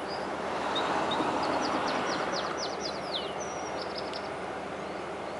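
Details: African blue tit on Tenerife, 7 December 2013, giving a quick series of thin, high, downslurred notes, about three per second, over a steady low roar of traffic or machinery.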